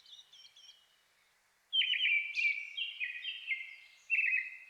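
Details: A Brown-headed thrush sings at dusk in a highland forest in Shinetsu, Japan, in May, competing with a nearby Japanese thrush: loud, clear whistled phrases stepping downward and ending in a short trill, two phrases within a few seconds, after faint high notes.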